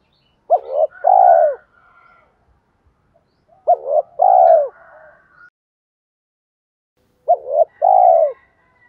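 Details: Spotted dove kept as a decoy for luring wild doves, cooing three times at steady intervals, each phrase a brief two-note lead-in ending in a drawn-out, downward-sliding coo.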